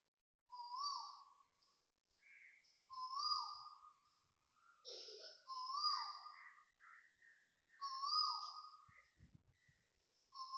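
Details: Loud calls of an Asian koel at 6.23am on 13 December 2025 in Toa Payoh, Singapore: four clear rising whistles spaced about two and a half seconds apart. A few quieter bird notes sound between them over a quiet background.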